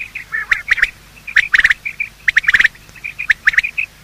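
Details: Male and female quail giving morning calls, used for hunting quail: clipped chirps and rapid ticking bursts in tight clusters, interspersed with softer short piping notes.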